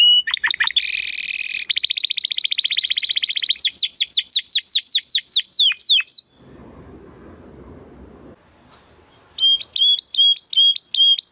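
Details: Male Timbrado Español canary, hatched in 2020, singing to teach other canaries: buzzy rolls and a fast trill of sweeping notes slowing into separate slurred whistles, a quiet spell, then clear repeated whistled tones.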